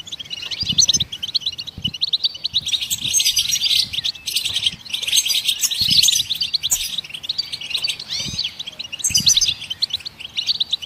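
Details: Goldfinch song, given to stimulate other songbirds to sing: dense, rapid twittering of high chirps, trills and short buzzy notes, almost continuous with brief gaps, over faint low thumps.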